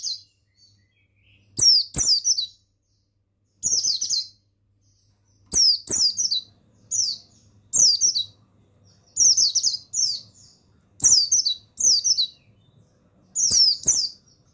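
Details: Training recording of a male buxtoni mountain white-eye, played to make lazy birds sing. About eleven rapid, shrill, downward-sweeping chirp phrases, often in pairs, each with a sharp tap, with a faint low hum behind.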